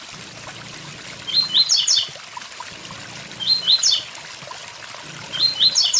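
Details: Tiziu, or blue-black grassquit, singing at a waterfall: a series of high clicking ticks, then buzzy rising-and-falling phrases about every two seconds, set against continuous flowing water.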